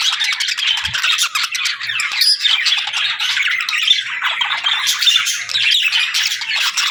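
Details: Several budgerigars chatter and warble nonstop, overlapping scratchy chirps, rapid squeaky notes and brief whistles forming a busy, unbroken stream of high bird sound.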